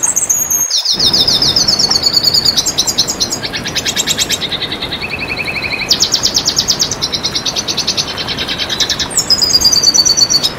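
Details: Red siskin song as a tutoring recording: long, fast twittering and buzzy trilled phrases, high and chattering, switching between pitch levels, over a constant loud hiss.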